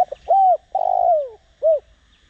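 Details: Spotted dove calling as a decoy to trigger cooing, Đồng Rặc voice; low soft coos in sequence: brief introductory notes, a rounded coo, a long descending drawn note, then one short coo.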